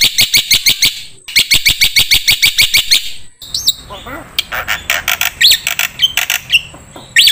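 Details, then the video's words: Training recording for songbirds featuring black-winged myna song: fast, evenly spaced harsh chirps in two bursts, followed by a looser stretch of varied squeaky whistles and sharp notes. "MASTERAN KICAU Jalak Putih"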